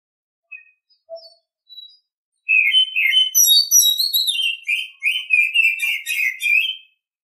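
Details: Oriental Magpie-Robin in full morning song: a few soft introductory whistles, then a sustained loud stream of varied, fluty whistles and rapid warbled phrases running for over four seconds.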